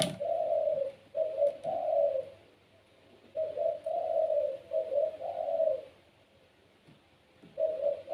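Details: Domestic pelung Barbary dove, kept as a cage bird and known for a loud voice that draws calls from other doves. It gives repeated low, rounded coos in two- and three-part phrases, with a sharp click at the start.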